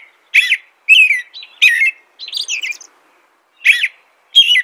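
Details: Loud whistled phrases from an American robin, each a rich descending slur, separated by brief silences, with a softer squeaky jumble in the middle and a longer pause near the end.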